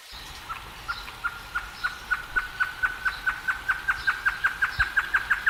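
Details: Wild great antshrike song: a long series of short, hollow, mid-pitched hoots that starts slowly and speeds up steadily, with the notes growing louder and closer together, over a light natural background hiss.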